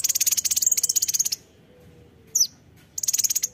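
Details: Kolibri ninja (konin) in sharp, gacor form: a long buzzy rattling trill of fast high pulses, one downslurred chip, then the rattle starts again.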